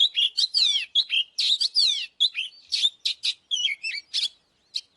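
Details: Oriental magpie-robin decoy song meant to trigger fighting: quick, jumbled high whistles and falling slurs in dense bursts, tapering to scattered notes near the end.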